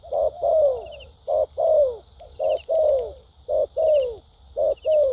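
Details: Structured song of a newly caught spotted dove noted for a good fighting temperament. A short coo is followed by a long, smoothly falling coo, repeated about every 1.2 seconds in a regular beat, with a steady high hiss behind.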